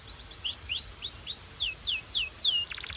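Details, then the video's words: Belgian canary song: quick high chips followed by slow, clear downward-curving whistles, ending in a short buzzy rattle. "This BELGIAN CANARY SINGS BEAUTIFULLY - Warms up quickly!"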